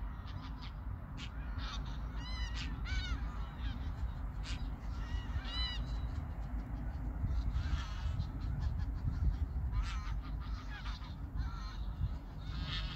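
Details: A migrating flock of geese passing over Koedijk, Langedijk, the Netherlands, on an August 2019 evening. Clear, nasal, harmonic honks come in overlapping bursts of two or three, with a steady low rumble underneath.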